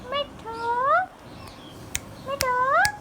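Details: Hand-tame green Indian ringneck parakeet talking: two drawn-out, rising, voice-like syllables with rich harmonics, separated by sharp clicks.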